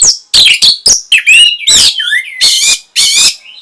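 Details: Orange-headed thrush in full song meant to stimulate breeding and answering: a loud, dense string of harsh, crackling notes overlaid with rich warbled whistles, with a clear descending whistled slur in the middle.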